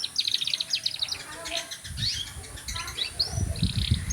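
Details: Canary delivering dense, fast high trills and chattering phrases, with a rising whistle near the end and some low rustling underneath.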